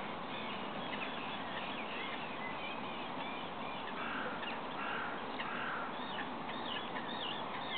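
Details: Roosting and nesting great cormorants at Lac de Maine near Angers, France, late March 2012: overlapping guttural, cawing croaks from many birds form a constant rough chorus, with a few louder harsh notes standing out midway.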